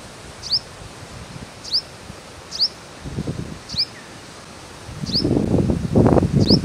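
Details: Purple sunbird recorded handheld on a Nikon D7500 camera at Akhnoor, Jammu and Kashmir, in May 2022: thin, sharp, high chirps that drop quickly in pitch, repeated about once a second, over rustling and handling noise that grows louder near the end.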